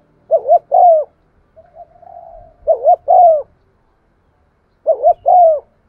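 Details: Spotted dove used as a lure, cooing to stimulate other doves in 'giọng son' voice: three repeated low phrases, double coo then drawn coo, with a soft hum between the first two.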